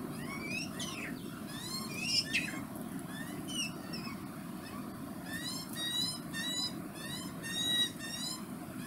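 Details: Juvenile Australian magpie in Perth, able to find its own food, begging a parent to feed it. Thin squealing notes rise repeatedly, some in quick runs, over a steady low rumble of background noise.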